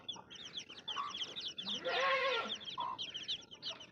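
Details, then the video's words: Baby chicks chirping in a busy chorus of high, rapid peeping notes, with a louder lower cluck or cry near the middle and faint background noise. "Baby Chicks Chirping Sounds"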